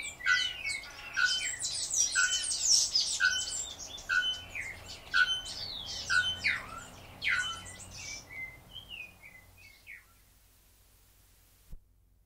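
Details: Male bare-throated bellbird (Procnias nudicollis) giving sharp, metallic calls about once a second over a busy chorus of high, chattering birdsong that fades out near the end.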